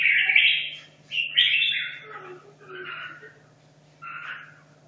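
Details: Red-whiskered bulbul caged in Hanoi for two and a half years, practising competition song: a loud whistled opening phrase, a second rich warble, then two softer fading notes, with a steady low hum underneath.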